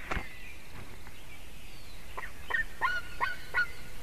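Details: White-tailed eagle chick at a nest in Latvia calls in an almost adult voice as a buzzard flies toward the nest and lands behind it, 9:05 AM, 17 June 2019. Short, sharp, downslurred notes repeat about every third of a second over steady hiss.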